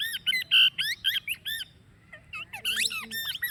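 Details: Plum-headed parakeet calling: rapid series of shrill, squeaky, warbling notes with sharp up-and-down pitch sweeps, several per second, a brief pause near the middle, then another burst of harsh chattering squeaks.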